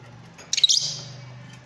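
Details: A single quick burst of sharp, high, squealing notes from Fischer's lovebirds, stuttered three or four times, then fading over a low steady hum.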